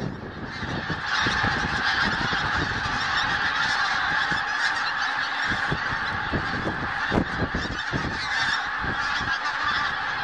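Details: Huge gathering of geese at Snettisham at first light. Loud overlapping honking swells after the first second and holds steady, with sharp individual calls scattered throughout.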